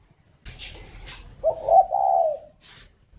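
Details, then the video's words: Spotted dove at a bird-breeding garden in Ba Vì, Hanoi, northern Vietnam, heard in the morning: one mellow, throaty coo phrase rolling on for about a second, preceded by soft hissy rustles. "tiếng chim cu đẻ"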